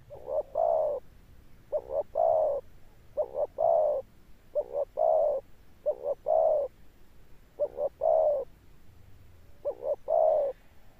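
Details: Spotted dove cọp with a deep, thundering coo and enduring final note, giving paired phrases of a short double note then a long drawn coo, repeated roughly every one and a half seconds against a quiet background.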